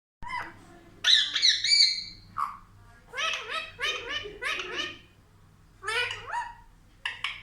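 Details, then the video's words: Pet parrot indoors that talks like a child: a short burst of high, harmonic speech-like syllables, then a run of quick chattering phrases with bending, wavering tones, separated by brief pauses. "बच्चे जैसा बात है हमारा तोता ll Talking Parrot"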